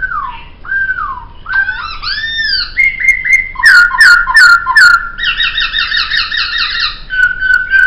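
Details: Laughingthrush master song: mellow down-slurred whistles, then arching notes and a steady whistle punctuated by sharp clicks, followed by a rapid rattling trill with several overtones and a final level whistle.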